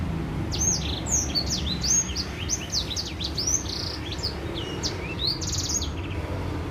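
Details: Song of a white-rumped seedeater, played to coax other birds into singing: rapid twittering with slurred up-and-down whistles and short buzzy trills over a low background rumble.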